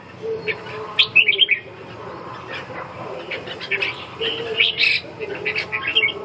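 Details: Red-whiskered bulbul song: a quick cluster of bright warbled notes, a pause, then further scattered chirps and a second burst, all over a low continuous rumble of background sound.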